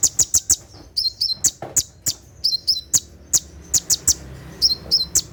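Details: Brown-throated sunbird giving its 'tembakan' song after dark, meant for training kept birds: dense, shrill ticking bursts mixed with quick descending whistled notes, almost without pause.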